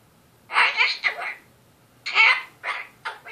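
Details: Pet Goffin's cockatoo indoors delivering its weekly evening 'lecture' before bedtime: bursts of harsh, raspy, speech-like chatter in short phrases separated by pauses, with a faint steady hum in the room.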